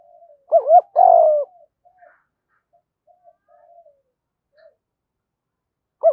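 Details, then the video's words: Spotted dove, male and female calling to stimulate birds in training: one cooing phrase of a brief wavering double note then a long falling coo, faint soft notes after, and another phrase starting at the end. "tieng thuc dau kích bổi nhanh gáy"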